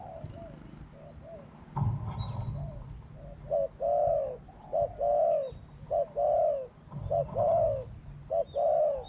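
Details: Spotted dove with a small voice giving two kuk notes and a steady khu-ang: mellow, low, hollow coos paired short then long, repeated in a regular rhythm after an opening thump and background rustle.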